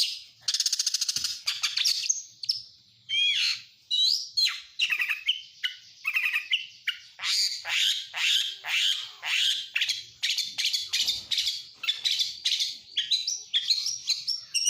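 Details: {'caption': 'Long stretch of Oriental magpie-robin song full of mimicked lovebird, canary and prinia phrases: buzzy high trills, then a steady stream of sharp chirps and squeaky whistles delivered rapidly without break.'}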